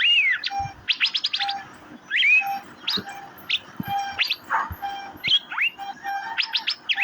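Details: Asian fairy-bluebird: downward-curving whistles and dense bursts of steep high chirps, with repeated soft short low notes underneath throughout.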